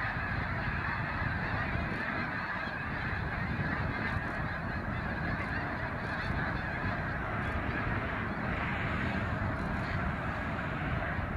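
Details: Large flock of snow geese on migration, a constant din of countless overlapping honking calls with a heavy low rumble beneath and a few brief clicks scattered through.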